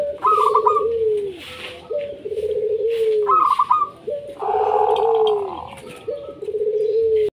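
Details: Chorus of local zebra doves, played to draw lazy doves into song; lower coos with a rising start repeat about every second and a half, overlaid by higher stuttered phrases and a brief rustling burst.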